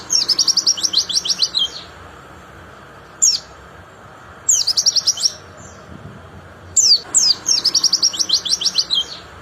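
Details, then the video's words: Repeated phrases from a white-eye: fast, very high, trilled twitters lasting one to two seconds, broken by brief single chirps and pauses, over a constant low hiss. "Sering Putarkan Suara Ini Plecimu Pasti Cepat Gacor Ngeplong"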